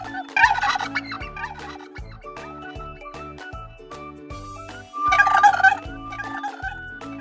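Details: Turkey gobbling in two rapid, rattling bursts, one near the start and one past the middle, set against steady background music with plucked tones.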